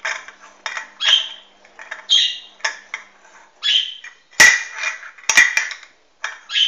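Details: Hahn's macaw, 16 March 2013: a series of rasping, scratchy squawks and shorter chatter notes, mixed with several sharp metallic clinks.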